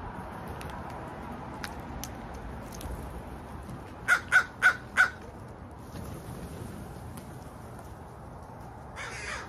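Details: Crow giving four harsh, evenly spaced caws in a quick burst midway through, set against a quiet, hissy outdoor background with a brief noise burst near the end.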